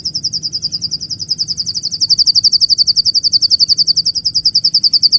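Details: Bird chirping: a long, rapid series of clipped high notes, steady in pitch and repeated several times a second throughout, with the notes growing louder toward the middle.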